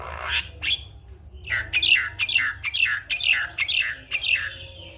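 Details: Javan myna in morning song meant to encourage other mynas: two loud harsh notes, then a series of about eight down-slurred whistled phrases repeated roughly every half second.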